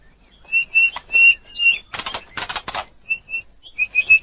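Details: White-rumped shama (Copsychus malabaricus) song of thin, steady, high whistles in short phrases, broken by a few harsh, rasping bursts.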